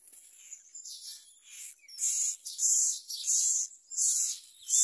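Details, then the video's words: Myna chick begging while a parent feeds it a large blue caterpillar: harsh, hissing rasps, softer at first, then louder bursts about every half second. "The myna bird brings a large blue caterpillar into its baby's mouth"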